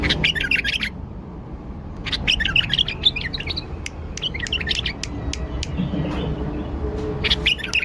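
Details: A tame caged male bulbul, kept as a first-grade singer that flaps its wings, gives bursts of rich, bubbling whistled phrases with short pauses between them, over a steady low background rumble.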